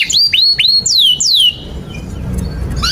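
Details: Singing canary, a master song for teaching young canaries: loud repeated upswept whistles and two long descending whistled slurs, then a quieter stretch with faint notes and a final rising whistle.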